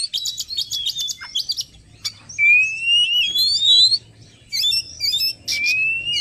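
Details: Lure recording of an Oriental magpie-robin meant to draw wild birds closer: bursts of harsh, scratchy chatter, then long clear rising whistles and sweeping slurs, with a faint low hum beneath.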